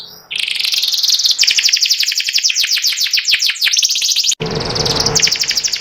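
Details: Canary, white panda variety with symmetrical pattern, delivering ngeriwik song: rapid chattering trills at high pitch, notes sliding downward in quick series, a short cut, then more fast twittering.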